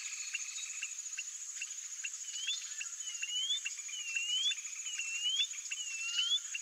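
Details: After a few seconds of rhythmic ticks, a white-bellied seedeater breaks into repeated sweet whistles that dip and rise, spaced about half a second apart, against a steady high-pitched insect hum.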